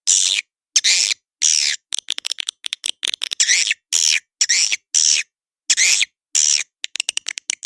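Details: Lure call of edible-nest swiftlets for swiftlet houses: bursts of harsh, buzzy high chirps about half a second long, alternating with quick clusters of dry clicks, separated by clean silent gaps.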